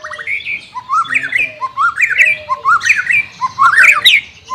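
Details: White-rumped shama song for training a bird that is reluctant to sing: a repeated phrase of rising whistled slurs, given about five times in quick succession.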